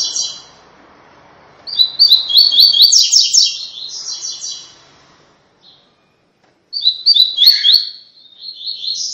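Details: ['Double-collared seedeater song in the tui tui style, used for training young brown-plumaged captive birds: high, fast twittering phrases of rapid chirps and trills, one long burst then a pause and a second burst, with quiet background hiss.']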